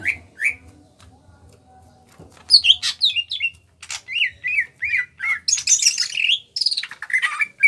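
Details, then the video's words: Kalimantan greater green leafbird, small in body and kept in a cage, gives two short whistles, a pause, then rapid looping whistled notes and a loud rasping high flourish, in the 'ngentrok' style. "Cucak Ijo Kalimantan Gacor NGENTROK"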